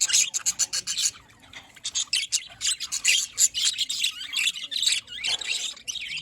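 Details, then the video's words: Budgerigars at morning, Larkana, Sindh, 5 November 2023: dense clicking, chirping chatter in quick pulsed bursts, a brief lull near the second mark, then continuous busy calling. "Budgies birds morning Sounds"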